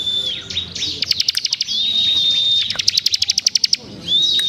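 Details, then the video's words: A Bar-winged prinia in full song sings high, thin whistles, broken by two bursts of rapid, sharp, rapid-fire ticking notes at about four per second. "Ciblek gacor dor tembaan rapet"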